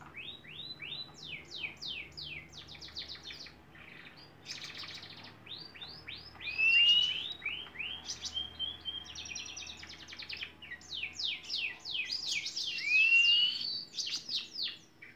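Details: Singing canary in a long training recording for songbirds, delivering a varied, continuous song of rapid descending sweeps, sharp chirps and buzzy rolled phrases, with louder bright whistles standing out at intervals.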